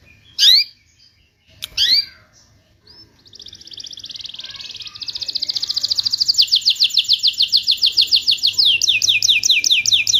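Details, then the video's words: Canary lure song to restart singing in silent birds: a few sharp chirps, then a long buzzy trill building into fast rhythmic rolling whistles repeated several times a second. "PANCINGAN BURUNG KENARI MACET BUNYI"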